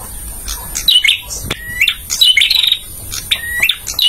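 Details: Male bar-winged prinia singing, used as a tutor recording for training caged birds: loud, repeated phrases of sharp rising whistles and chirps over a fast clicking rattle, roughly every second, over quiet background hiss.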